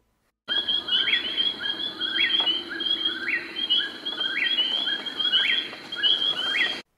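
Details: An Eastern Whip-poor-will, a nightjar of the eastern United States calling at night in summer, repeats its whistled three-part namesake phrase ending in a sharp upslur about once a second, over a steady high insect drone.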